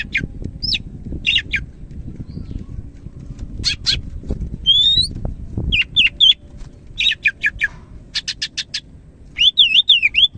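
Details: Greater green leafbird from Medan in lively song: scattered chips and whistles over faint rustling background, then a fast string of repeated chips and a closing run of looping, wavering whistles.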